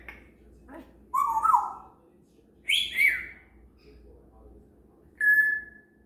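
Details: A female parrot chatters to herself in the morning, practising sounds in three separate bursts of warbling, voice-like whistles. Each burst dips and rises in the mid-to-high range, with quiet pauses between.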